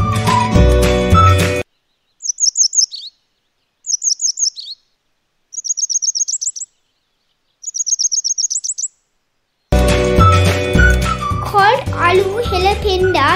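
Grey Wagtail giving four quick bursts of thin, very high, sharp notes, each burst a rapid run of about five to eight notes. Music plays before and after.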